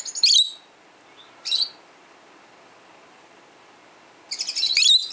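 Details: Peach-faced lovebird calls heard around a 12-year-old pet lovebird, which is hearing other lovebirds: three bursts of shrill, harsh high chirps, one short, a second brief, then a longer scratchy burst near the end, with quiet background between.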